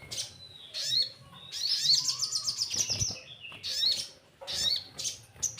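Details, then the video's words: Orange-headed thrush singing, used as a lure to make birds sing readily: bursts of high, sweet whistled phrases and fast chattering notes, split by short pauses, with a brief lower whistle in between. "Pancingan SOGON Bahan Agar Rajin Bunyi"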